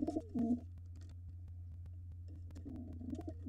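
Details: Wild pigeon fight at a nest with two nestlings, a gray bird trying to seize it and the white father defending; short deep coos open and close the moment over a constant low hum and scattered taps.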